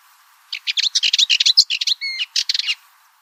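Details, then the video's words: Cyprus Warbler song: a dense, scratchy chattering phrase of quick high notes lasting about two seconds, with one clear whistled note with an upper overtone near the end, against a quiet background. "Cyprus Warbler - Songs"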